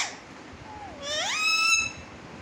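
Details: Talking parrot indoors saying a short phrase: one clear voiced utterance that dips, then sweeps steeply upward into a bright, held, harmonic-rich tone lasting about a second.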